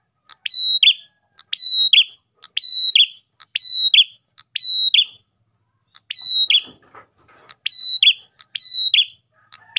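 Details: Ash tailorbird song used as a lure for other tailorbirds: a sharp tick, then a level high whistle sliding into a lower burry note, repeated about once a second over nine phrases with a brief gap midway.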